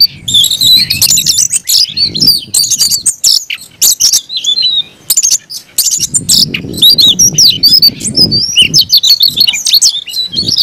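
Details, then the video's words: Kept Oriental magpie-robin (kacer) singing fiercely and persistently: dense high whistles, trills and scratchy notes, with low muffled background noise at times. "kacer gacor tarung ngotot agresivitas"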